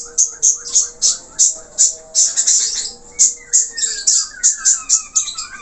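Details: Energetic 'gacor' budgerigar warble full of varied filler notes: rapid rhythmic chirps roughly every third of a second, then a long falling whistle and chattering, scratchy notes toward the end.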